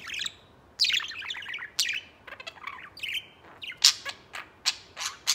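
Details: Pet budgerigars, including a white one, playing outside their cage; bursts of bright chirping and scratchy warbled notes, high and fast, separated by brief pauses, with sharp clicks near the end.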